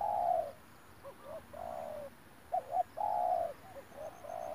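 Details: Spotted dove cooing outdoors during a live decoy trapping session, recorded 9 March 2021: low, mellow coos in short grouped phrases with soft pauses between them, over steady background noise.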